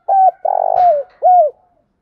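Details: Spotted dove lure call used to provoke and train a newly caught dove: three loud, low coos, a short one, a long buzzy drawn-out middle note sliding down, then a final falling coo.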